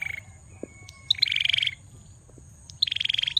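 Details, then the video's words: Singing male bar-winged prinia delivers rattling high trills of quick repeated notes, one trailing into a lower sustained note, after a thin level whistle-like tone at the start. "Prenjak Belukar Gacor"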